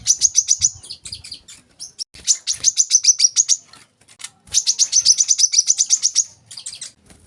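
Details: Olive-backed sunbird song for tutoring young caged birds: repeated phrases of quick, sharp, high chirps about four per second, broken by short gaps, then a few scattered notes at the end.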